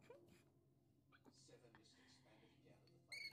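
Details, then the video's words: A Rainbow or Scaly-breasted Lorikeet, a pet, gives one brief, shrill, rasping screech at the end, after quiet murmuring voices and soft indoor background noise. "Rainbow & Scaley Lorikeet"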